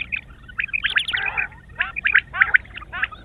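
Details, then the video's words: Quail in the morning, uttering a tangle of squeaky, squabbling notes followed by sharp, separate chirps about every quarter second. "sound of quail is the perfect clear sound for the morning"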